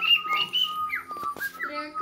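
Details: A pet cockatiel sings toward a person's foot, whistling a tune: clear sustained notes with rising and falling slides and short breaks, joined by a few clicks and a brief voice in the background.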